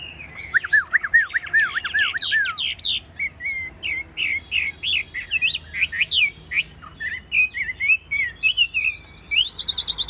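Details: Tame caged Chinese hwamei with a golden-yellow bill and large body, praised for its beautiful voice; rich varied song of rapid repeated down-slurred whistles, then looping phrases and sharp chirps, changing motif every second or two.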